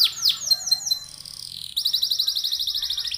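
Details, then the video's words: Ornate canary song used to prompt other canaries: bright swooping downward notes and short whistles, then a brisk, evenly repeated high trill at about four notes per second. "PANCINGAN KENARI GACOR❗CENGKOK MEWAH GAMPANG DIIKUTI KENARI"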